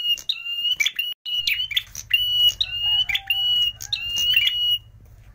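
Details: Red prinia sound used to lure birds for trapping: a bright clicking burst then a level high whistle, phrases following closely for about five seconds, with a faint lower note midway and a low hum underneath.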